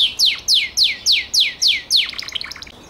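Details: Gloster canary singing a series of seven loud, sweeping notes that slide downward, about three per second, then breaking into a fast, softer rattling trill that fades out.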